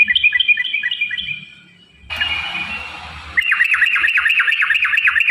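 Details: Yellow-vented bulbul, in long 'ropel' singing used to provoke caged birds: a quick string of bright chirps, a short burst of hissing noise, then a fast, sharp, repeated V-shaped trill over a low background rumble.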